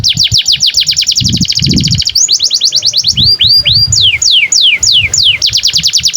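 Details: Long canary song meant as a master for young canaries: rapid series of descending sweeping notes, several fast trills and slower down-slurred whistles, continuous and loud, with faint low background rumble.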